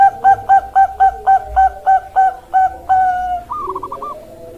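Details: Bangkok perkutut, the zebra dove, delivering a steady series of short coos roughly four per second, then a long held tone and a brief wavering flourish, with a faint low hum underneath.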